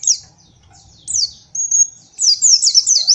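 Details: Training song of a white-eye, made to teach young birds: high thin whistled phrases, a short steady note, then quick looping up-and-down chirps in a fast burst.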